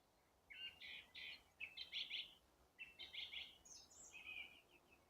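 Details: Birds singing in April, warming up their songs: two bursts of rapid, chattering, scratchy phrases, then a brief higher whistled note and a trailing twitter, over a soft background hiss.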